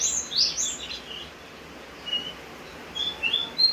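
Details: Javan grey-throated white-eye singing in rain: a loud opening flurry of very high slurred whistles, a quiet pause with a faint hiss, then a few short, sharp high notes.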